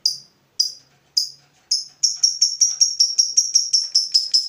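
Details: Fighter lovebird stirred up by a rival answers with ngetik, sharp high ticks at first well spaced, that quicken into a fast, even, rattling ngekek trill.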